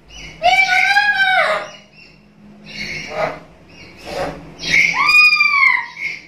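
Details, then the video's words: Black-capped lory, a talkative captive bird, giving loud harmonic calls: a long arched whistle-like note, shorter rough squawks, then another long arched call; low hum in background. "Burung nuri kepala hitam gacor cerewet"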